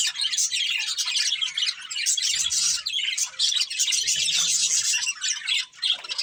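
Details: Breeding pair of budgerigars in continuous chirpy warbling with scratchy, buzzy chatter and quick squeaks, briefly quieter near the end, with faint low rumbling in the background.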